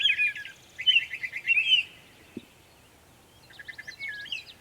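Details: Mockingbird singing in Savannah, New York, 23 May 2021, mimicking many sounds: a quick run of rapid, stuttering chirps, then a pause and a single click, followed by a fresh series of sharp, jumbled high notes.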